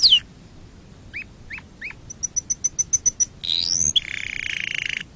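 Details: Canary song, varied and rapid: a falling whistle, three rising chirps, a quick series of about ten sharp high notes, then a rising sweep and a sustained buzzy trill, all clear over faint low background noise.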